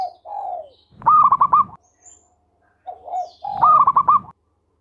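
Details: Melodious local zebra dove singing freely, meant to stir other doves to sing: soft descending coos lead into a rapid staccato run of short, bright notes, the phrase given twice.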